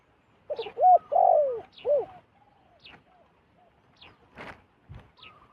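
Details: Wild zebra dove flying down to a decoy bird, giving a short run of soft, rolling coos that rise and fall, the middle note longer. Fainter coos and high chirps from other birds follow in quiet surroundings.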